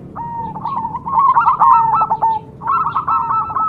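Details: Zebra dove (perkutut cemani) producing a long, rolling run of soft, quickly repeated coos, swelling then easing, a short break, then another rapid cooing phrase.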